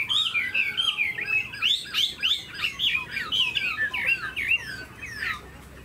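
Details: Captive Chinese hwamei, tame and fan-tailed, sings a melodious series of looping, rising whistles, each phrase turning sharply, then tapering into quieter downward slurs at the end.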